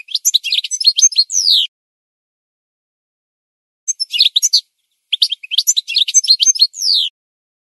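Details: Goldfinch singing on a training recording for birds: three phrases of quick, tinkling twitters, each closing with a drawn, buzzy, slurred note, separated by silent gaps of a second or two.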